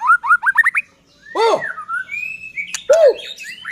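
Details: Murai batu in strong song, meant to goad other shamas into singing: five quick upward-flicking notes, a pause, then a loud arched harsh note, a clear rising whistle, and another strong arched call.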